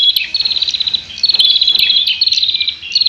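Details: Prinia, locally prenjak, calling while fighting: dense, fast buzzy trills of very rapid high notes, held in long bursts with brief breaks and a few sharp clicks.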